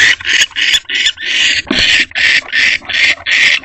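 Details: Barn owl pair in nest box C at 11:15 pm on 19 March 2025, as the male returns without food and they mate. Loud harsh hissing screeches repeat roughly eight times in under four seconds, each a rasping burst.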